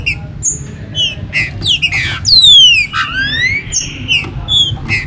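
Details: Green-winged saltator, kept in captivity, giving a warm-up song to stimulate other birds: short whistled notes and chips, then a loud falling glide and a rising slur.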